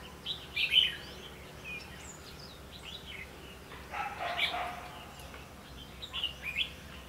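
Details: Red-whiskered bulbul, late in the season, during bird trapping with a caged decoy at Lương Sơn, Hòa Bình: three short bursts of bright, warbled chirping at about one, four and six seconds, with quiet background hiss between them.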